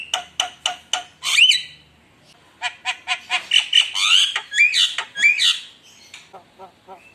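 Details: ['Javan myna lure song aimed at rival birds: a quick run of dry clicking notes, loud harsh squawks with rising whistles, another dense burst of chatter and whistles, then soft fading nasal notes.']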